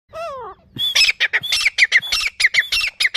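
A Grey francolin gives a rapid series of harsh, squawking notes, about four per second, after a brief falling whistled tone.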